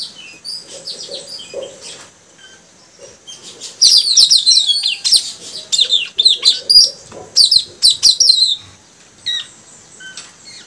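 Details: Three young male blue flycatchers (puling) pour out fast, high, twittering phrases with sharp up-and-down notes in rapid bursts, alongside a softer, lower warble.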